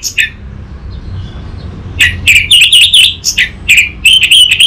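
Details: Orange-headed thrush song used as a lure and master recording to draw song from a young bird. Short chirps open it, then a lively, fast run of bright whistles, trills and slurred notes fills the last half, over faint background hum.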